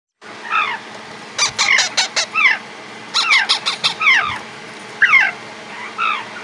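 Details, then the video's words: African grey parrot chick gives harsh, rasping squawks, some bending down in pitch, in quick bursts of two to four over six seconds, with a faint low hum behind. "African grey parrot chick"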